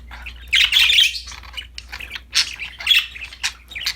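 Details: Budgerigars described as happy, playing with a new toy: dense, rapid, scratchy warbling and chirping in quick overlapping bursts with a low background hum.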